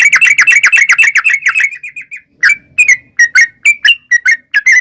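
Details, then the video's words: Yellow-vented bulbul giving a long 'ropel' song, played as a lure to draw wild birds into replying: a rapid stream of bubbly notes that slows and fades, then separate clear, slurred whistles about every third of a second. "trucukan gacor ROPEL PANJANG buat pancingan trucukan agar bunyi jadikan burung trucuk gacor NYAUT"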